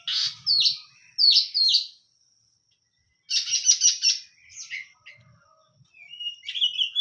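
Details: Oriental magpie-robin giving paired harsh chattering notes, then a dense scratchy burst and a rising whistled phrase at the close.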